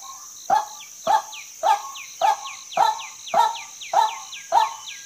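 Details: Harsh, croaking notes of a female white-breasted waterhen, eight in a regular series about every 0.6 seconds, each trailed by a faint descending whistle, over a steady high background whine.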